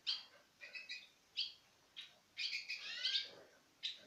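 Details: Pairs of citril finches feeding from the hand, with brief, high, thin chirps in irregular clusters and a short run of twittering notes near the end.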